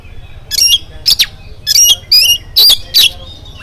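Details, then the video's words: Oriental magpie-robin in morning song, used to prompt other magpie-robins to join in: five or six loud, rough, buzzy bursts delivered in quick succession, with faint whistles between them. "SUARA KACER GACOR DI PAGI HARI KACER APA SAJA LANGSUNG NYAUT IKUT BUNYI"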